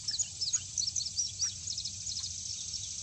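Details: Male indigo bunting producing a series of short, high chips and thin notes, several per second. The notes soften into a faint trailing chatter over low background noise.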